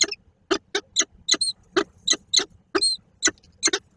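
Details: At a Koszalin nest box on 10 October 2024, two peregrine falcons meet and call: sharp, rasping chip notes about three per second, some followed by a high thin whine, recorded close up.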